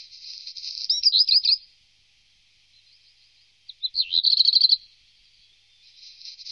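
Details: A Black redstart in Wittlicher Tal in 2018 sings a high, fast rattling phrase, then after a pause a dry, crackling, scratchy burst, with a faint buzzy hiss between phrases.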